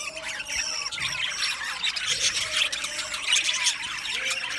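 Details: Budgerigars kept in a colony aviary warbling in a continuous high chatter, with rapid twittering, squeaks and scratchy notes overlapping.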